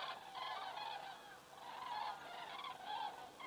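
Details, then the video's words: Common cranes passing overhead at an Estonian crane camera, 27 September 2017, 19:26; softer, more distant rolling trumpet calls repeated roughly every half second, several birds calling together over a quiet background. "Cranes flying over"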